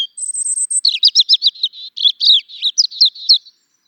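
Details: Song of a European robin opening with a thin, very high sustained whistle, then tumbling into fast twittering, liquid warbled phrases that rise and fall in quick succession.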